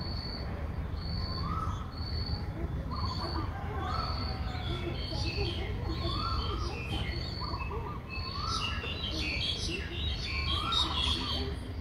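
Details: Six-day-old Streak-eared Bulbul nestling, Ubon Ratchathani, Thailand, 8 April 2023: thin high piping notes repeated about every second, alternating with lower short slurred notes, over a steady low rumble.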